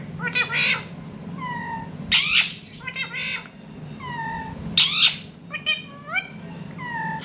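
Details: Pet rose-ringed (ringneck) parakeet with a baby parrot, apparently startled, giving harsh squawks and short falling whistles, about a dozen calls in quick irregular bursts over low room hum, while a person talks to it.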